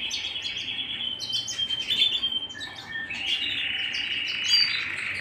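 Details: At home a canary sings sustained bright trills, first higher then shifting lower after a short pause, with quick stuttering upper notes scattered above the main warble.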